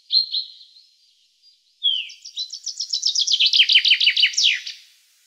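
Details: Common chaffinch of the Black Sea subspecies singing: two short opening notes, a pause, then a fast, accelerating series of bright downslurred trill notes that grows louder and ends in a sharp falling flourish.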